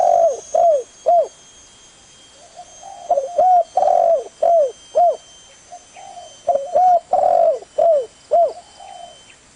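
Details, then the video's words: Spotted dove cooing in three phrases of about four to five soft, hollow notes, including a longer drawn-out coo, with short falling tails on several notes; a faint steady high whine runs underneath. "Suara burung tekukur"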